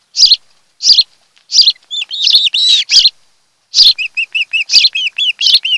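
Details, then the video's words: Osprey at a nest on Kent Island, Maryland, 26 July 2018, in the afternoon; one of a mated pair gives loud, high, whistled chirps in a rapid series, some sharp and clipped, others drawn-out and slurred. "Osprey Nest"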